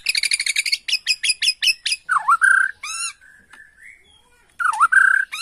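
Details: Agitated Bornean white-rumped shama used as a lure: a fast rattle of harsh, clicky notes, then a V-shaped swooping whistle with a held note, which comes again at the end.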